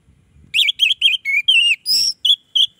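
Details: Orange-headed thrush song that lures other orange-headed thrushes: after faint low rustling, a quick sequence of clear looping whistled phrases, one higher sustained note, then short whistled ends.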